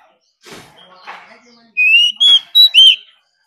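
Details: Oriental magpie-robin singing a dueling song, used to rouse newly caught wild birds into full song: soft scratchy sounds, then four loud ringing whistled notes in quick succession, each pure and slightly slurred.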